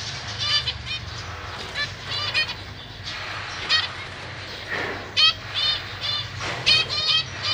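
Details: Zebra finch pair with three juveniles and three newly hatched chicks in a large cage, parents busy feeding young, recorded 31 March 2023; short nasal, buzzy harmonic calls in irregular bursts, some doubled, about forty a minute.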